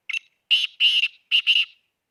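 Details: Loud rasping call of a black francolin from Khushab: a short scratchy lead note, two long buzzy strokes, and a final doubled grating pair, delivered briskly with a clean, quiet background.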